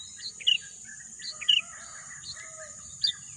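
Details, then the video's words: Outdoor bird sound in lush green surroundings: three short, high, slurred chirps about a second apart over a soft, busy background murmur and a continuous shrill hiss. "bunyi kicauan burung"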